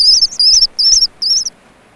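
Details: Ancient murrelet chicks cheeping inside a burrow on Frederick Island, their calls growing more animated; four high, thin, wavering cheeps about a quarter-second each, evenly spaced over one and a half seconds, then quiet.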